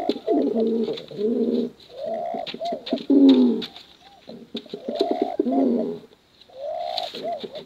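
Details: Male and female pigeons coo in the 'bekuran' competition style, with repeated bursts of deep, bubbling, rolling coos mixed with short arched notes. Brief quiet gaps separate the phrases.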